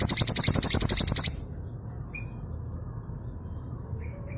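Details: Female long-tailed sibia from East Java, a local bird used as a lure to get silent males singing: a fast, loud burst of high rattling chatter lasting just over a second, then near quiet with a faint whistle.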